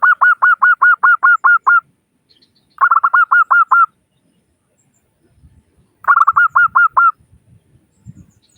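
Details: Zebra dove, local bird with a clear 'crystal' voice, used to prompt other doves to sing: three runs of rapid, rounded cooing notes, the first a long string of about ten, later ones shorter, with faint low rustles.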